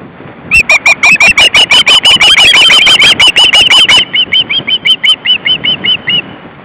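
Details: Osprey family at the nest, two adults and three chicks, on a late August afternoon in 2012: a long run of shrill whistled yelps, first dense and overlapping from more than one bird, then spaced about three per second before stopping.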